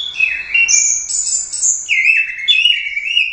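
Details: Orange-headed thrush, a champion competition bird, singing continuous clear whistled phrases that leap between high and lower pitches in smooth slurs.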